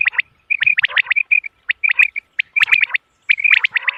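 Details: Common quail (bater) calls used as a hunting lure on moonlit nights: sharp, clipped chirps repeated in quick irregular bursts, with short silent gaps between groups.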